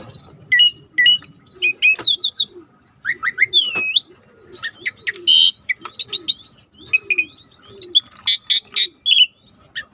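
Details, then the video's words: Rare starling song with deep river ambience: varied whistled chips, squeaky up- and down-slurs and bright bursts, over a soft, repeating lower warbling and gentle water noise. "Jalak Langka Masteran Alam Sungai | Deep Nature River Sound for Starling"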